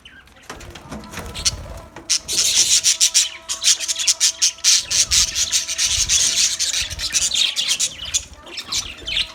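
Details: Budgerigar colony chirping: a dense, continuous wash of scratchy, high chatter that swells after the first two seconds and runs on with rapid, uneven bursts.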